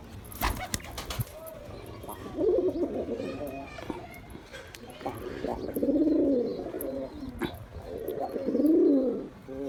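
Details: Three drawn-out, throaty coos from a male pigeon wooing a female, following a few sharp taps at the start, with a low murmuring backdrop.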